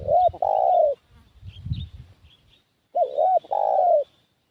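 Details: Spotted dove giving its decoy call to lure wild doves: two cooing phrases about two seconds apart, each a short hooked note followed by a long, drawn-out, slightly falling coo, with faint chirps from other birds in the gap.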